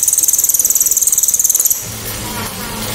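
A cililin gives a loud, sharp, very high trill of rapid ticking notes, about fifteen a second, for nearly two seconds. A low hum follows.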